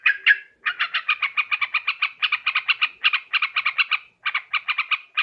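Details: Borneo recording of a sooty-headed bulbul used as a trapping lure: two sharp opening notes, then dense runs of rapid, buzzy chatter broken by brief pauses.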